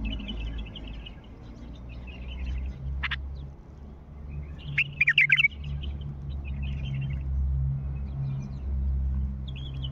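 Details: Wild Mandalawi bulbul: soft twittering notes early on, one sharp high click, then a loud burst of rapid rolling liquid whistles midway, followed by quieter chatter, with a steady low hum throughout.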